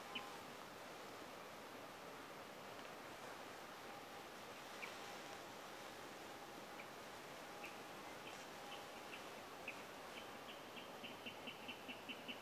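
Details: Spotted crake calling at night from a reedbed: short, sharp whistled notes, scattered at first, then repeated quickly and steadily over a constant hiss of wind or distant water.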